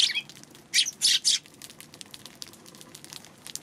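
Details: Eurasian tree sparrow on March 2: one chirp, then a quick burst of three loud, harsh chirps in under a second, then only faint background ticks.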